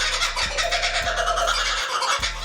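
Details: Kookaburra; laughing call; marking territory and communicating with the family group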